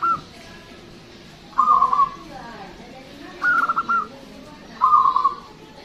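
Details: Local Indonesian zebra dove, or perkutut, with a loud, long voice used as a lure for other birds: three short phrases of rapid stuttering coos, each under a second, separated by quiet gaps with faint background noise.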